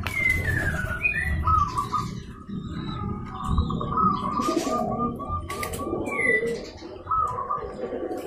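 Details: Local Indonesian zebra doves, including a female, calling to provoke a rival into answering: a relaxed string of soft, rolling mid-pitched coos repeated over several seconds, with whistles from other birds and steady background noise.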